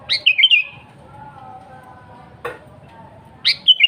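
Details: Wild-type sooty-headed bulbul in full active song, free of mixed-in other species, used as a lure to call rivals and wild birds: two short bubbly warbled phrases, the second at the end after a single sharp click, over a faint low hum.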